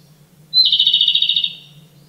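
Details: Japanese robin song: a short high introductory note, then a fast, even trill of about fifteen rapid pulses lasting near one second, bright and loud against a faint low hum.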